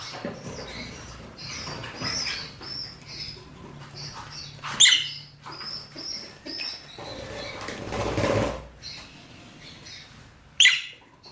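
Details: Calling to mate, male and female rosy-faced and Fischer's lovebirds produce continuous high twittering, a mid-length noisy burst, and two abrupt, harsh screeches several seconds apart.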